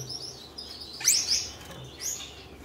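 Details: A red-headed Gouldian finch pair, caged and newly paired for breeding, courting: a brief high buzzy phrase sweeps upward, then a fainter second note follows.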